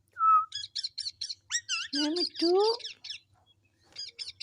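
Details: Talking pet parrot: a clear whistled note, then a run of rhythmic chirps, followed by lower, voice-like syllables resembling spoken words before more chirps.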